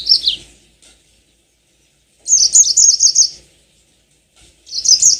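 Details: Yellow-fronted canary singing a lure song meant to spark long rolling song: a short descending trill, then a bright, quick run of high chirped and slurred notes lasting about a second, and a third phrase starting at the end.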